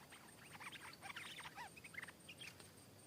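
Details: Stripe-throated bulbul, a wild bird answering a caged one and coming down to fight, delivering a dense, lively run of chattering, gurgling notes with little rising and falling slurs throughout.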